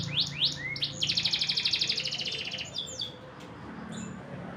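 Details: Blackred canary in the rainy season, opening with quick upward-swept whistles, then a fast rattling high trill lasting over a second, a few swooping notes and quiet hum afterwards.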